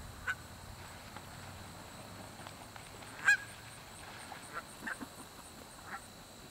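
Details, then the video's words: Geese squawking in the background at Shawnee Lake as double-crested cormorants pass by. Faint, distant honks are scattered through the recording, with one louder honk near the middle, over a steady low background hum. "The geese are squawking in the background."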